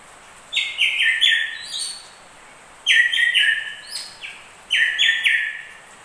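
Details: Drongo song from a combined recording of crested and ashy drongos: three phrases about two seconds apart, each a run of flat, slightly buzzy whistled notes stepping downward, over a steady soft hiss.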